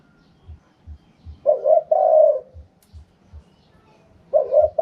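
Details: Spotted dove, wild-style "karom pa" song. One full soft coo phrase, a broken double note then a sustained rolling croo, followed by the start of another, with evenly spaced soft low knocks in the background.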